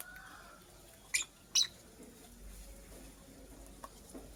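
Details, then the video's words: Nest-making female purple lovebird utters two loud, sharp, shrill chirps about half a second apart, followed by quiet background with a few soft faint ticks. "Purple Lovebird Chirping Sounds - Female Lovebird Makes a Nest"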